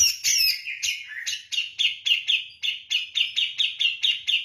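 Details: Javan grey-cheeked bulbul in vigorous song, compared to the kapas tembak. Sliding squeaky phrases lead into an even, rapid sequence of about a dozen clipped chirps.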